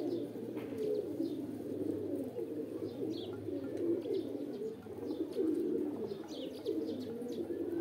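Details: Pigeons calling to mate: unbroken low cooing from a flock swells and dips in loudness, overlaid by repeated high, short chirps of other small birds.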